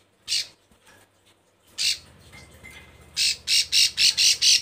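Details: Female bar-winged prinia in breeding condition, calling to males. Two short, harsh, buzzy bursts with a pause between them, then a quick string of six raspy, squawking notes.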